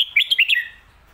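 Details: Short song phrase from a red-whiskered bulbul in the 'lak wai' or 'mae bot' style. Four or five quick liquid whistled notes step up and down, then fade into quiet.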